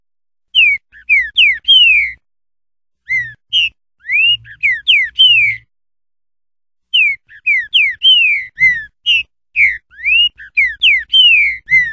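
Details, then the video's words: Green-winged saltator (Saltator similis), known locally as trinca-ferro, singing three phrases of loud, clear whistled notes with sharp rising and falling slurs, each phrase about one and a half seconds long, separated by short pauses, over a quiet background. "O canto melodioso do Trinca Ferro. Todos os cantos desta ave maravilhosa."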